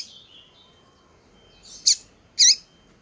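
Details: Female Double-collared Seedeater calling to rouse males: a faint high twitter at the start, then two loud, sharp chip notes about half a second apart in an otherwise quiet setting.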